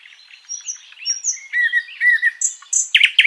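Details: Sikatan londo flycatcher singing a long, varied master song for teaching other birds. Thin high whistles and slurred notes, building to louder looping phrases and sharp chirps.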